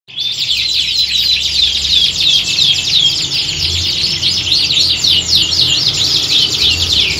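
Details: Group of canaries singing together in a contest-like setting, used to train birds' nerve for singing competitions; dense overlapping high trills, chirps and rapid rolling phrases pour out continuously from many birds at once, with a faint low hum beneath.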